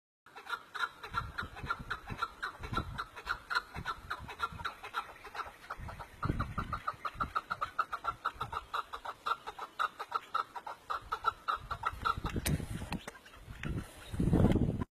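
A partridge gives a long, steady run of clucking notes, several each second, with low rumbling noise beneath and a louder bump near the end.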